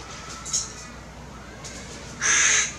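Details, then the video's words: A tame hooded crow in Ma'alot-Tarshiha, Israel, gives a single harsh, raspy caw lasting about half a second, after a faint brief sound and quiet background hiss. "CARKUR gray crow"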